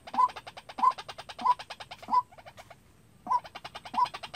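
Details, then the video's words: Decoy white-breasted waterhen for bird trapping gives brisk clipped notes in quick succession over a fast rattling pulse, falls silent for about a second, then resumes the same pattern. "Tập quốc mồi tự chơi-Tiếng quốc đi bẫy"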